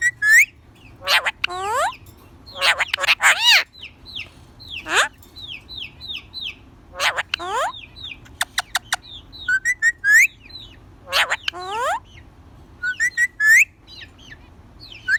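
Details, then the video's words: Pet rose-ringed parakeet, a talking ringneck, giving a jumble of speech-like syllables, sharp clicks and sweeping whistles, some rising and some falling, with short pauses between bursts over a low steady background hum. "Parrot Talking"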